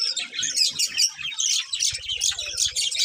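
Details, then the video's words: Budgies twitter rapidly in quick high chirps and squeaks, with a low fluttering rumble in the second half. "Budgies Chirping Sounds"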